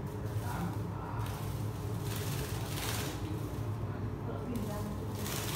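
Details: Steady broadband hiss like spraying water over a low hum, with muffled voices and no animal calls.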